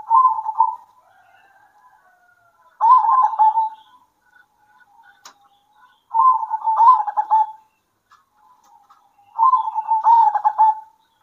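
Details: Local zebra doves singing in turn at midday: four rolling, stuttered coo phrases roughly every three seconds, with quiet faint notes between and a single click.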